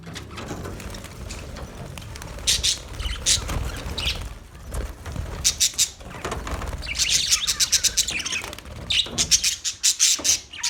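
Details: Budgerigars, Australian parakeets, heard in scattered bursts of rapid high chirps that grow busier in the second half, with low rumbling noise and wing-like flutter beneath.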